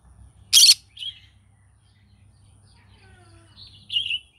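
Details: Green-cheeked conure morning vocalising, opening with one loud rasping screech and a brief softer squawk, then quiet faint chatter before a rougher burst of buzzy chirps at the end.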